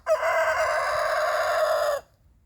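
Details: A rooster crowing in the morning to mark his territory: one loud, sustained crow of about two seconds, rich in harmonics and steady in pitch, ending abruptly into a faint low background hum.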